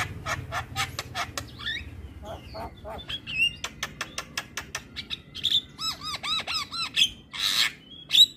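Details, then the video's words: Javan myna training recording, meant to be played every morning so mynas quickly start singing; varied song of harsh broadband rasps, sharp clicks and buzzy bursts, with a run of looping whistled notes around five to seven seconds. "Masteran Burung Jalak Kebo Wajib Putar Setiap Pagi Bikin Jalak Cepat gacor"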